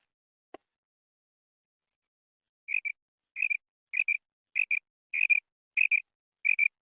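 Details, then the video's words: Female quail giving a call used for hunting: after a single sharp click and two seconds of quiet, a run of seven high, clipped double notes follows at a steady pace, about one pair every 0.6 seconds. "FEMALE BATAIR SOUND / BUDANA OVOZI"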